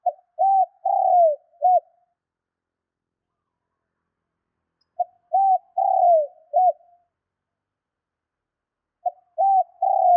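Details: Spotted dove repeating its cooing phrase roughly every four to five seconds, a call for rousing kept doves: short note, two rising coos, a long downslurred coo, and a clipped ending; otherwise quiet.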